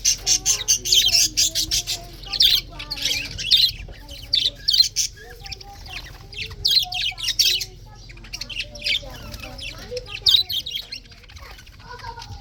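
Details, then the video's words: Budgerigars chirping on the morning of February 24, 2024: a dense, continuous chatter of rapid high warbles, squeaky chirps and harsh buzzy squawks, overlapping in irregular bursts with brief pauses between phrases. "Morning 🌄 chirping sounds ! best parrot 🦜 beautiful"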